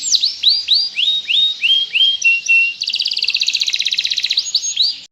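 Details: A canary sings loudly: about eight clear falling whistled notes spaced evenly, a short flat tone, then a dense rapid trill lasting over a second, ending with swooped notes.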